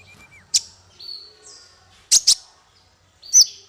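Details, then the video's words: High bird notes used as masteran for small fighter songbirds. A thin, level whistle, then scattered sharp chips and a quick double note, each note clearly separated by short pauses. "Masteran paling merdu untuk burung faigter kecil"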